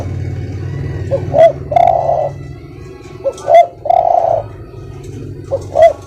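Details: Spotted dove cooing in a recording used as a master to train birds: a soft low phrase of two short notes then a longer, rolling coo, repeated about every two seconds over a steady low hum.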